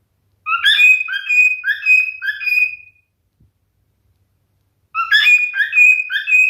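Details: Male cockatiel, a pet parrot, singing indoors: two bursts of bright whistled, warbling notes with rising and falling slurs, the first about two and a half seconds long, then a silent pause before the second phrase starts.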